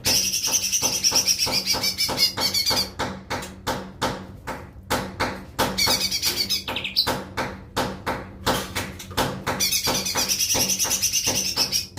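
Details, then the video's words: Lesser green leafbird singing a fast, high, twittering warble at the start and end, separated by a long series of loud, irregular clicking taps roughly every half second. "suara cucak ijo mini"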